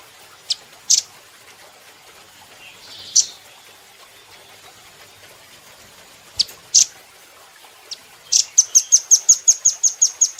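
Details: Velvet-fronted nuthatch from a cage-bird training recording: a few sharp, isolated high chips spread over eight seconds, ending in a quick, regular trill of about fourteen piercing notes.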